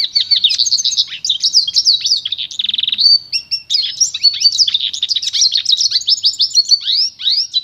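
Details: Pure training song of a pintagol, the goldfinch-canary cross: quick high chirps and sweeping notes, then a brief dry buzzy rattle around the middle, followed by more lively twittering phrases.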